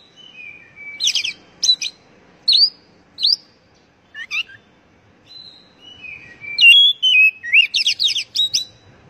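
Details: Oriental magpie-robin (kacer) song played so kept birds sing sooner: bursts of sharp stacked chirps and short slurred whistles with pauses, then a dense run of rising and falling whistles and rapid high chips.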